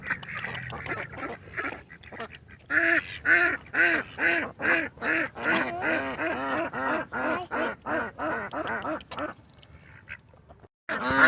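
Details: Ducks in their natural state, quiet mixed calling at first, then a long regular series of nasal quacks about twice per second, fading before a final loud call.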